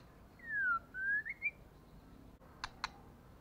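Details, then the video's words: Female white-rumped shama calling as a lure to provoke males to fight: a clear whistled note sliding downward, then a rising whistled phrase of two or three notes, followed after a pause by two sharp clicks. "CHOÈ LỬA MÁI KÍCH TRỐNG/lửa mái mồi. murai betina fighter, murai jatan auto ngamuk."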